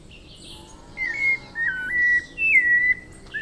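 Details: White-necked thrush, a bird of Brazil's tropical forests and woods, singing strong melodious phrases: three clear whistled notes held level near the same pitch with small dips and slurs, spaced by short pauses, faint higher twitters behind.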